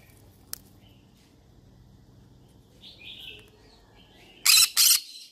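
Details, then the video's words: A yellow-sided conure, a parrot said to be looking for friends to talk to, gives faint chattering notes followed by two loud, harsh squawks in quick succession near the end, and a third starting as it cuts off. "Yellow sided conure sounds : I'm looking for friends to talk to"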